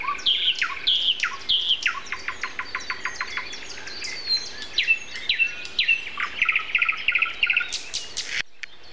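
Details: Common nightingale heard around 7:55 am on April 29 in a chorus with other birds; varied strophes of descending whistles and long runs of rapid repeated chips, ending abruptly.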